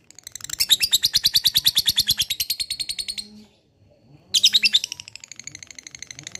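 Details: Lovebird producing two bursts of ngekek, a fast high-pitched chattering trill; the first runs about three seconds and fades, then after a short gap a second burst starts, over a soft low hum.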